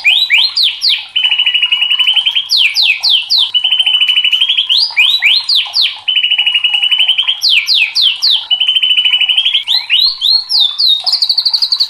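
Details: White-rumped shama (murai batu) in loud, excited full song: rapid fast trills of repeated notes alternating with bursts of sharp upslurred whistles, cycling through the same pattern several times without pause.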